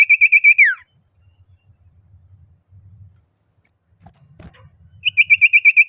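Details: Oriental magpie-robin singing excitedly to call a rival: a fast string of bright repeated whistles dropping into a downward slur, a quiet pause with soft low rustling, then the quick repeated whistles return.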